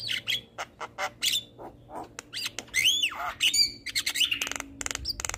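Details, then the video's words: Javan myna song meant to stimulate reluctant birds: scattered sharp clicks and short squawks, then a loud arching whistled slur and raspy chatter, ending in a quick rattling series. "Pancingan Jalak Kebo Malas Bunyi"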